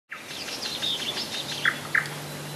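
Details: Common nightingale singing in July 2011 at Rassudovo, about 40 kilometres from Moscow: a rapid varied phrase of buzzy high notes followed by two loud, separate chunky notes, with a steady low hum behind.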